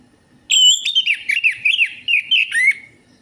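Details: Orange-headed thrush song as a lure to prompt singing: one continuous run of rapid rising and falling whistled notes with a few thin high squeaks, lasting over two seconds.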